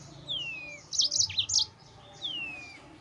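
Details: Yellow-fronted canary in energetic, nonstop 'ngerol' song used as a lure to rile rival birds: two long, high whistles slurring downward, separated by a quick burst of sharp, bright chirps.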